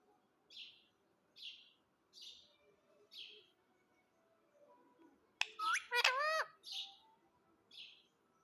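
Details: Pet parrot said to say 'mitthu': soft chirps repeated about every 0.8 seconds, then a loud, rasping, harmonic vocal phrase with falling tones, followed by a few more quiet chirps.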